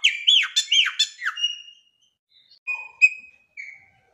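A Chopi blackbird sings a quick run of rich, slurred whistles and bubbling notes, then a few sparse, clear whistled notes after a short pause.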